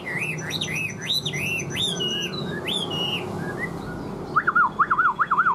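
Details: Newly arrived caged Chinese hwamei in northern Vietnam, weather about to turn rainy, singing loud clear whistled phrases that swoop up and down, several looping notes in a row, ending in a quick run of lower wavering trills.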